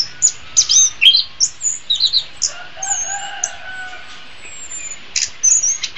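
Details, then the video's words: Orange-headed thrush master song for training birds: scattered bright whistled and chirped notes in short bursts, with fainter long drawn-out lower whistles running underneath in the middle section. "Masteran Terbaik Anis Kembang"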